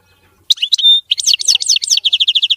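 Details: Clean, error-free European goldfinch song: after a brief silence, a few twittering notes and one steady held whistle, then a rapid series of repeated buzzy, rolling trill notes at an even, quick pace.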